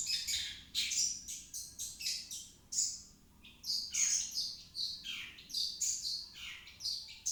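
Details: Long-tailed shrike lure song meant to make a reluctant shrike sing. A dense, continuous chatter of rasping notes mixes with sharp high whistles and short descending slurs, with almost no pauses.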